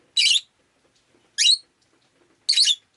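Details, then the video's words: Rosy-faced lovebird on a rainy day, three rasping, high-pitched squawky chirps roughly one per second, each short and noisy, with near silence between. "Lovebird Chirping Sounds"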